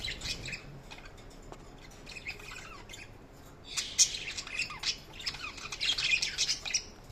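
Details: Budgerigars chirping in a group, quiet scattered chirps at first, then a dense burst of high, scratchy warbling and squawks in the second half.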